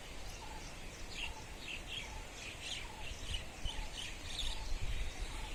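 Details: Birds chirping at sunrise in Dharamshala: a steady series of short high chirps about twice a second, with soft lower notes repeating beneath and a low rumble of outdoor noise.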